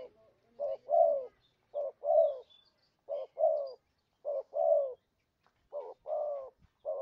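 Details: Spotted dove coos played as a lure for trapping birds: deep two-part phrases, a short note then a longer falling one, repeated five times at an even pace.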